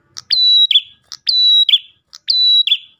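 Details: Lure song of an Ash tailorbird meant to draw in other tailorbirds: three phrases, each a click followed by a sustained thin high whistle that ends in a short lower buzz, roughly one per second on a silent background.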